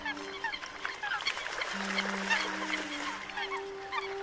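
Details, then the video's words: Several Eurasian coots, straying from their flock on migration, give short, sharp, nasal notes in quick, irregular bursts, overlapping over a steady low hum; recorded in Vietnam during the 2022 night migration season. "Tiếng Sâm Cầm Bản Đạp Nước Kêu Lẻ Bầy"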